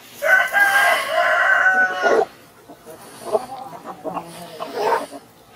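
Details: Crowing rooster in the morning: a two-second crow, raspy then steadier, followed by softer clucks and scattered farmyard sounds.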